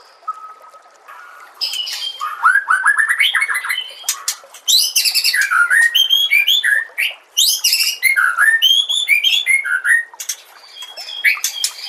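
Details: Master song of a white-rumped shama for training young shamas: loud bursts of varied whistled and chattering phrases, sweeping up and down, broken by short gaps, after a quiet opening with a single sustained whistle.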